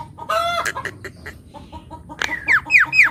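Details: Lively black-winged starling song, used as a lure for this species and to prompt silent birds to sing: a rapid mix of harsh chattering notes and clipped clicks, ending in loud, rising-then-falling whistled phrases.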